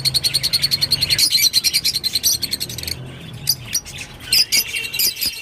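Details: Rosy-faced lovebird giving rapid, evenly pulsed high chirps at about three per second, then a quieter pause and a few sharp squeaks.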